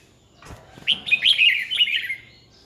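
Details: Red-whiskered bulbul decoy singing in fighting style to provoke rivals into song: one loud, rapid phrase of bubbly, rising-and-falling chirped notes lasting about a second and a half.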